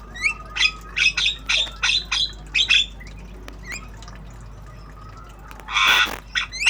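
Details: Black-winged starling (jalak kebo) learning sounds, obyogan style: a steady string of about nine sharp, ringing, buzzy notes roughly every third of a second, then quieter flicks and a loud harsh burst near the end.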